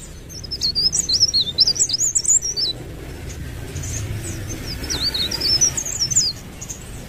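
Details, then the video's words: Leaf warbler, called blerengan or cikrak daun, singing continuously: two bursts of high, thin, rapidly warbling twittering notes, the first around two seconds long, the second shorter after a quiet gap, over low background hum. "ocehan burung blerengan atau cikrak daun gacor ngerol"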